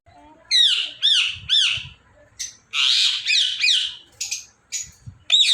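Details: Three rising-falling squawks from an Indian ringneck parrot open a run of rough, buzzy screeches, followed by scattered short sharp calls and one last loud squawk.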